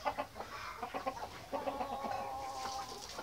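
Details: At mealtime, a flock of white Australorp chickens makes rapid, choppy clucking, several short bursts each second, over constant background noise.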